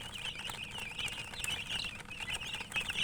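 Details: Chicks chirping: a dense run of high, thin peeps overlapping one another almost without a break, with soft scratching and patter underneath.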